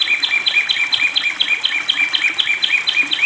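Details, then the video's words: A Long-tailed shrike, kept with water therapy, sings a rapid run of bright, high chirping notes, about two each second, over a steady thin high-pitched ringing. "pentet Matahari gacor"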